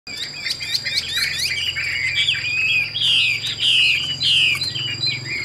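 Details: Captive Chinese hwamei, a bird offered for both fighting and singing, with a fierce-looking face. It pours out rapid chipping notes, then loud, rich, slurred whistles that rise and fall. A faint steady high whine runs underneath.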